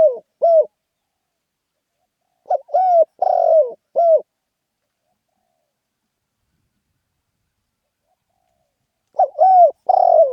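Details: Spotted dove in Thailand cooing in the lively khan yon style, phrases of four or five mellow, bowed coos, separated by long silent gaps.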